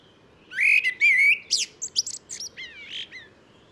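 A common blackbird sings a rich, fluty warble, then ends the phrase with a burst of thin, squeaky high twitters.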